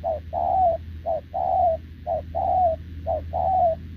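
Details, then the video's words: Wild-caught short-legged spotted dove cooing continuously at a decoy bird, recorded 6 November 2024; a short low coo then a longer falling coo, the pair repeated about once a second, with a steady low hum underneath. "Bổi đồng chân lùn | Bo mình chắc đẹp | gù liền với mồi Đồng TT"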